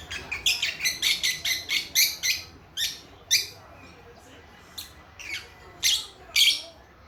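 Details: Baby lovebirds, a few months old, chatter in a rapid series of harsh, high chirps, dense at first and then spacing out into single calls.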